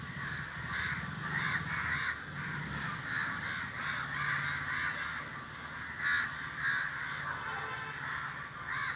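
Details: Flying flock of crows calling. Harsh caws repeat in quick succession, roughly every half second, over a low steady rumble in the background.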